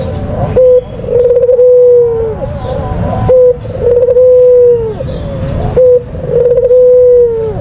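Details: Repeated lure calls of a white Barbary dove, an Indonesian contest and pet bird: three long purring coos, each preceded by a short clipped note and ending in a downward slide, with rumbling noise underneath.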